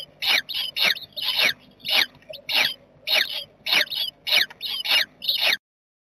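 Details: A jackdaw family in a nest box on 7 May 2020 makes a steady series of short, rasping calls, about a dozen in five seconds at a fairly even rhythm, then the sound stops abruptly.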